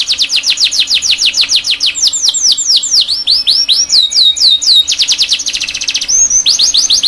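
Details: Canary song used to teach young canaries: quick repeated sweeping notes, a run of dipping whistles, then a fast buzzy rattle and more trilled sweeps.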